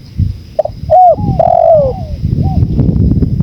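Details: Spotted dove cooing over a low rushing wind: a short note, then a clipped coo and a long, loud, descending coo, ending with a soft short note.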